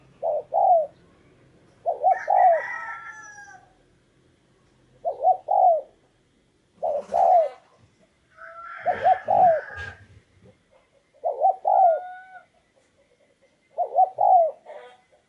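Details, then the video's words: Spotted dove as a decoy attracting wild doves, repeating short clipped coo phrases of two or three notes every few seconds, with higher chirping birds and a rustling burst in between. "chim cu gáy mồi cây"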